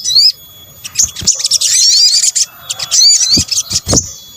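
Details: Sunbird, known locally as sogok ontong, in a combined lure recording: thin, high chirps and sharp rising whistles in dense bursts, broken by a few dull knocks.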